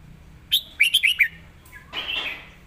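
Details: Red-whiskered bulbul phrase from a clearly worded model song: one sharp note followed by four rapid, bright whistles, then a softer chattering trail.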